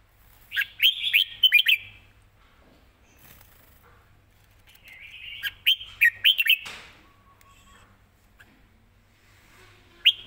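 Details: Red-whiskered bulbul heard live, singing quick riffs with good phrasing: two rapid bursts of five or six bright, bubbling whistled notes separated by several seconds of near silence, then a single short note at the end.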